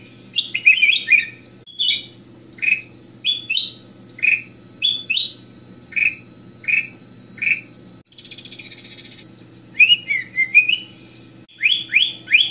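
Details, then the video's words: Goldfinch (kutilang emas), chatty full song used to train other birds: regularly spaced clear whistled notes, roughly two per second, a brief buzzy rattle midway, then a tumbling twittering phrase and rising whistles, over low hum. "KUTILANG EMAS / GOLD FINCHES - SUARA KRISTAL BENING FULL ISIAN"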